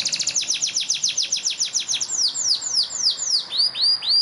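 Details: Yellow canary singing for song training: a fast run of high, sharply descending swept notes, roughly three or four per second, slowing into longer arched whistles, over a steady low background hiss.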